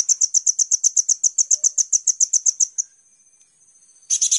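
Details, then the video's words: Rapid, piercing sunbird (kolibri ninja) trill from a master recording for training cage birds, about four notes a second for nearly three seconds, a brief quiet gap, then a new burst. "Pancingan Konin Full Gacor Tembakan mewah"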